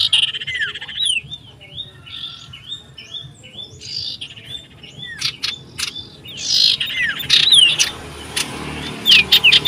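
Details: Common iora singing loudly and persistently while seeking a rival, recorded 27 December 2022: fast run of short repeated chevron-shaped whistles, some notes sliding down, followed by sharp clicks and louder scratchy bursts toward the end.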